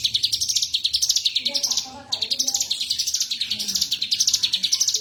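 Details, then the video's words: A cigun bird singing vigorously: a long, fast run of sharp, high chirps in rising and falling waves, with a brief break near the middle. Faint low background sounds. "cigun gacor"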